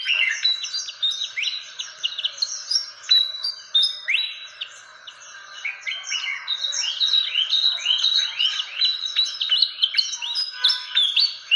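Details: Fantail sounds used in Indonesia as a lure for catching birds: a busy, continuous stream of quick upslurred whistles and sharp chirps, several voices overlapping, steady for about eleven seconds.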